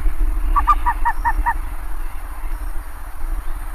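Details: Five evenly spaced nasal honks from a bare-faced ibis in quick succession, followed by quiet low rumble.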